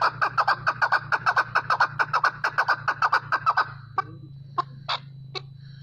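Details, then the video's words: Chukar partridge calling: a rapid run of sharp, evenly spaced clucking notes, a little over two per second for about four seconds, then a few scattered single notes, over a steady low hum. "Chakor Partridge Voice | Chakor ki Awaz"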